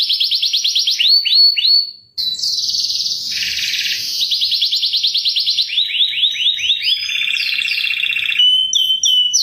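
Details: Canary lure song of repeated chirps: rapid high trills of sweeping notes, fast rolls and buzzy stretches changing tour every second or two, with a brief break near two seconds.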